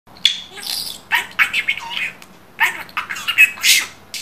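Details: Pet budgerigar that talks very well chatters in quick, high, scratchy bursts of mimicked speech, with short chirps and whistles between phrases.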